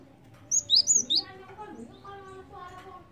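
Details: Java sparrow lure sound: one tight burst of four bright, high, slurred chirps, followed by soft low murmuring noise.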